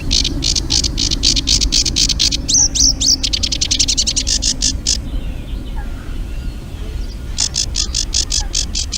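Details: Eurasian reed warbler song played back at the Urdaibai marsh, Spain, during spring migration as the first birds arrive from Africa. It comes as fast, rhythmic runs of harsh chattering notes that pause for about two seconds, then resume.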